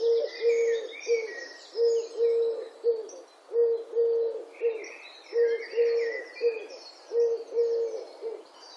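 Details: European turtle doves recorded in Wittlich in 2017, a low rolling purr in regular bursts of two or three notes about every second and a half, with songbirds twittering behind.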